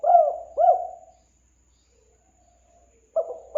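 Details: Spotted dove (tekukur) lure call from Indonesia: two quick mellow coo notes, a silent gap, then the start of another coo phrase at the end.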